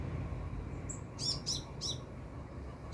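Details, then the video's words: Sunbird close overhead giving a short run of three bright, high-pitched chirps after a single thin whistle, over a soft low background rumble. "Burung Kolibri gacor"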